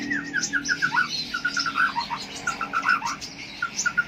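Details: Konin-type lovebird, a kept bird from Jambi, Indonesia, in long-duration chirping: rapid runs of short sharp chirps and squeaky notes, clustered in bursts with brief gaps, over a steady low hum.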